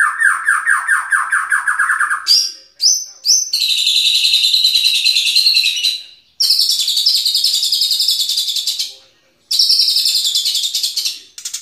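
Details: White-rumped shama song: a run of rapid descending notes near the start, then long buzzy trilled phrases held high with short gaps between them.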